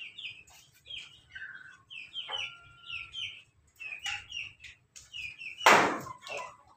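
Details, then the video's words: A laughing-chicken rooster, a cross with Pelung and Bangkok breeds, crows loudly in a string of short, choppy syllables with one drawn-out note; chirpy calls mingle in, and a sharp loud burst comes near the end. "ayam ketawa berkokok lantang"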